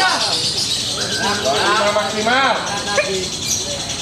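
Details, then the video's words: Adult Lovebird Kencono, top points champion in the final adult-class session of a bird-singing contest, gives its bold "ngekek" call: a long, chattering trill of rapid, rising and falling squeaky notes amid crowd voices and steady hiss. "Gaya Ngekek Gagah - Lovebird"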